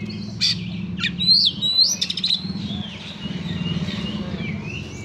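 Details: Kacer, the Oriental magpie-robin, in harsh rousing song: sharp clipped notes and bright upslurred whistles in a fast burst, then fading into softer drawn-out whistles over a steady low rumble.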